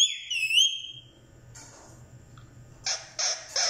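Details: Pet talking parrot indoors in a small room: a rising whistled note with bright harmonics at the start, a quiet gap, then three harsh broadband squawks near the end.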